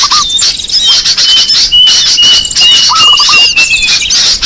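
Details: Bird-lure recording of small birds: thick high chatter and squeaky chirps, long level whistles drifting slightly downward, and two short runs of quick lower notes, one at the start and four more near the end.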